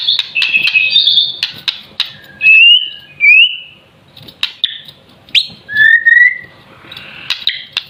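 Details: Young captive white-rumped shama still in juvenile plumage yet singing, producing scattered clear whistles, short rising and falling slurs and sharp clicks separated by brief pauses, with quieter gaps between phrases.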